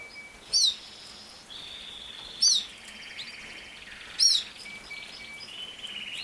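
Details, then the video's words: Canary singing: a faint buzzy trill held near the top of its range, broken every two seconds or so by a loud, sharp, high chirp, three such notes in all. "Canary Singing | The Best singing Canary ever"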